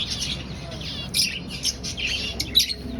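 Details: Finches in a breeding aviary colony, finding nests: short, bright chirps and nasal squeaks tumbling over one another, several sharp peaks standing out from the chatter, with a low background hum.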